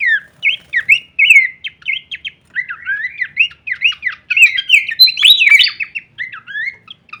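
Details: Horsfield's babbler in full-variation kleperan song, used as songbird masteran: steady stream of bright, bouncy whistled phrases and clipped chips, repeated at a fast, uneven pace, swelling into a busier flourish near the end.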